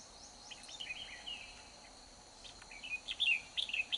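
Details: Wild red-whiskered bulbul fighting a caged decoy bird in the rain: short scattered chirps and slurred warbled notes at first, then a louder, quicker burst of bright sharp chirps in the last second and a half, over a steady hiss of rain.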